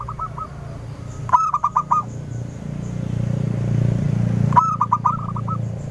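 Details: Local zebra dove used as a clear-voiced lure to set off lively answering calls. Two phrases of rapid, rolling cooing notes stand out over a continuous low droning hum.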